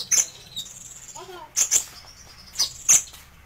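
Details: Kolibri ninja sunbird singing a few bright, high squeaky notes in small clusters, with a softer lower warble between them and a faint steady hum behind.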